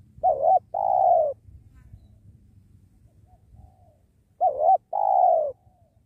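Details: Spotted dove calling while being trapped beside a sacred tree: two paired coos, a quick wavering note followed by a longer smooth low note, with faint distant chirps and low rumble between phrases.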